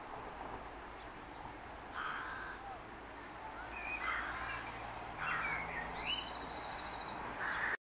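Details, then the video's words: Rook at a rookery in trees at Harlech Castle, a few rough caws around the second and fourth seconds and near the end, while other birds add thin high whistles and trills over a low outdoor rumble. "Rook calling"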